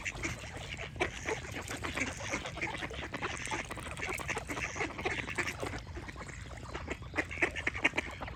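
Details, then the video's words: Ducks quacking in a dense run of short, harsh, broadband calls that repeat almost continuously, with bright chirps from other birds singing underneath and a steady low background hum. "Cute Duck Quack Sound Effect with Birds Singing"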